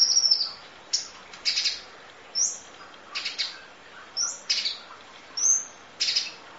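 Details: A long-duration masteran of Van Hasselt's sunbird (kolibri ninja), full fill, 'nembak' style: shrill chirp clusters alternate with thin high whistles that slide downward, every second or so, against quiet background noise.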